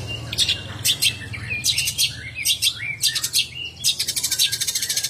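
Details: Long-tailed shrike of the Banyuwangi type, with a busy, scratchy song of high chirps broken by short rising and falling whistles, ending in a fast rattling trill. A low hum runs underneath.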